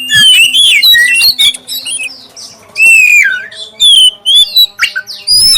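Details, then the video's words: Prompting song of a black-breasted oriental magpie-robin, clear and loud, aimed at starting other magpie-robins singing: varied rising and falling whistles, rapid squeaky notes and buzzy fragments in nearly unbroken phrases. "suara pancingan kacer dada hitam suara jernih"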